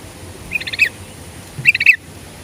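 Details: Sooty-headed bulbul lure song meant to draw a reply from other birds: two quick clusters of bright, bubbly chirps about a second apart, clear against a soft low hum.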